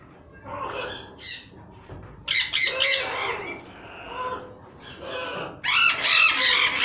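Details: Captive pied sun conures imported from Holland and offered for sale, screeching in loud, harsh, rasping bursts, several quick shrieks in a row, rising to an intense run of squawks in the final seconds.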